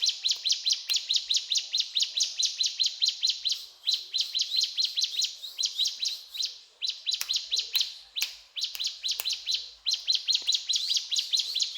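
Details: Mountain tailorbird, called ciblek gunung, singing actively in the rapid cetrakan style: a long series of sharp, high chattering notes, about two or three a second, with brief breaks and a few clicks.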